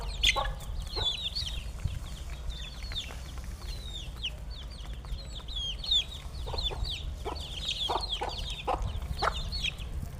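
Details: Chickens being fed, a flock calling together: dense, overlapping high chirps and short sweeping peeps, some rising and some falling, with scattered sharp clicks and knocks from feeding and a steady low rumble beneath.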